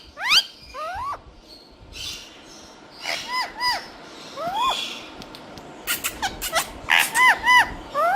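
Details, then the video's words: Green talking parrots call in mixed bursts of upward-sweeping squeaks and arched chirps. Noisy broadband crackles and a low hum run underneath. "Cutest Green Talking Parrots Saying the Funniest Things"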